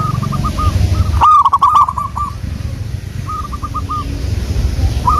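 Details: Lure recording of local wild-type zebra doves in full song. Mellow rolling coo phrases are broken by one loud, jerky burst of clipped notes from a close bird, over low background rumble.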